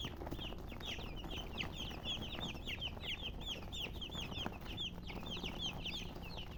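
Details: Baby chicks of chicken peeping in a thick chorus, rapid high descending chirps packed closely in the middle stretch, over quiet low hum.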